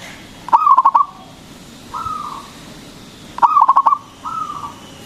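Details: Strong-voiced local zebra dove, used to entice other doves into song. Two quick stuttering series of cooing pulses, each followed by a level whistled note, about three seconds apart.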